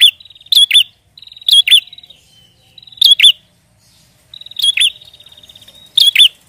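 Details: Prenjak sound played as a lure to trap prenjak birds: rapid dry ticking trills leading into paired emphatic chirps with quick pitch kinks, sequences repeated roughly every second and a half, no other sounds.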